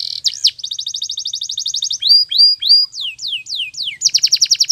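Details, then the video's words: Canary training song: rapid, evenly spaced chirping trill, then three rising whistles and several falling sweeps, closing with another quick bright trill. "Your Canary Will Sing Immediately - Canary's Sound Training Every Morning"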